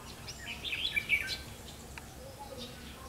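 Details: During a 31 October 2016 trapping outing, a 'mí lửa' red-whiskered bulbul decoy gives one quick rippling warbled phrase in the first second and a half, then quieter background with faint voices.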